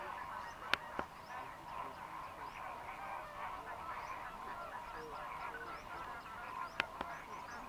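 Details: Non-stop nasal honking of Greater flamingos crowding the food-rich lagoons of Mannar Island, Sri Lanka, during dry-season migration, a thick chorus of overlapping voices broken by a few sharp clicks.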